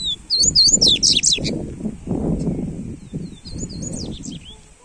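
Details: Double-collared Seedeater (coleiro) song for warming up a bird: a quick burst of high, sweeping whistled notes and twitters lasting about a second, then a second shorter phrase, over a steady low rumbling background.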